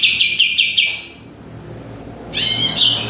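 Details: Greater green leafbird singing loudly at close range: a quick run of clear chirped notes, then a pause and a burst of tangled high warbling phrases.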